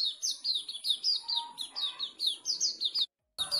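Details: Sooty-headed bulbul from a Pemalang, Indonesia keepers' group, pouring out a steady stream of crisp falling chirps about four per second. The stream stops in a brief silent cut.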